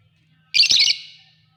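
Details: Lovebird giving a single loud, harsh high-pitched chirp lasting under half a second, with a faint low hum in the background.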